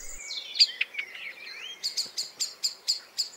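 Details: Anxious common blackbird in June, likely with a nest nearby, alarm calling as a barn owl passes: a thin wavering high squeal, then a rapid run of sharp metallic chinks, about five a second.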